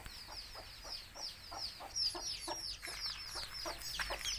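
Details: Many native country chicks peep steadily beside a mother hen calling them to eat. Shrill, downward-sliding chirps overlap constantly, while the hen's short, dull clucks repeat about three times a second.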